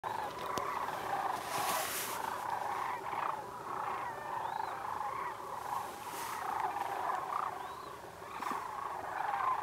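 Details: Tens of thousands of wintering Sandhill Cranes march across a pond at Whitewater Draw, Sulphur Springs Valley near Willcox, Arizona, giving a dense, continuous chorus of rolling, trumpeting rattles, many birds overlapping with no break.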